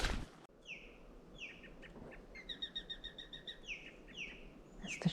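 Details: Blue Jay alarm call in woods with a sharp-shinned hawk nearby: harsh, falling jeer notes repeated about every second, with a quick run of short, high, evenly spaced notes midway, apparently the hawk calling.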